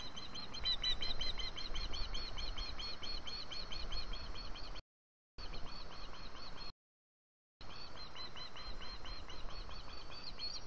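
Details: ['Osprey demanding food, recorded 4 September 2017: a fast series of sharp, high chirping notes, about four per second, running steadily over a rumbling background noise.']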